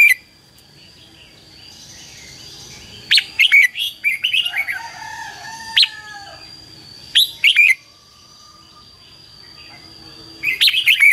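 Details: Red-whiskered bulbul singing hót đấu fighting song as a decoy to lure wild birds and excite trained bulbuls; clustered bursts of sharp warbled chirps separated by pauses, a faint drawn-out lower tone between bursts.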